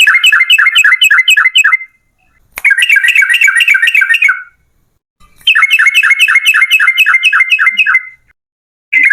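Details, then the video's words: Energetic yellow-vented bulbul song, the rapid 'ropel panjang' style meant to coax other trucuk birds into singing: three fast runs of bubbling, chattering notes, each about two seconds long, with short silent gaps between. "TRUCUKAN GACOR Ropel Panjang"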